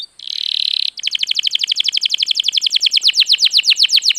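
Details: Singing canary used to prompt other birds: a brief buzzy rattle, then a long run of rapid descending whistled notes repeated about four times a second.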